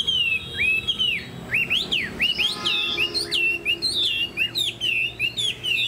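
A Chinese hwamei sings a loud, rich stream of clear whistles, swooping up and down in quick, varied phrases with barely a pause; faint low hum beneath.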